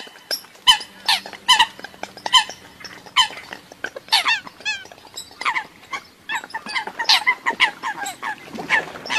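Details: Eurasian coots recorded outside the country, calling in dense, irregular volleys of short, sharp nasal notes. Several thin rising squeaks are mixed in, and a low faint hum runs through the first half.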